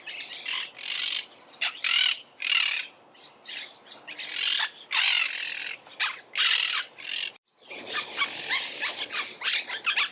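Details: Noisy Monk parakeet chatter: irregular bursts of harsh screeching squawks, some long, some clipped, continuing for ten seconds with a brief pause midway, possibly several birds calling together.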